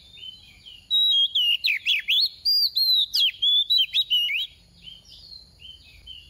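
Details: Captive Oriental magpie-robin used as a lure bird to stimulate others to sing, giving about three and a half seconds of quick, sweet, varied high whistled notes, rising and falling, then stopping; faint low background hum.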